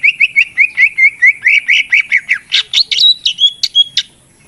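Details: Lure recording of a greater green leafbird, played to coax lazy birds to sing: quick run of about twenty sharp whistled notes, rising and falling, ending in higher chattering phrases.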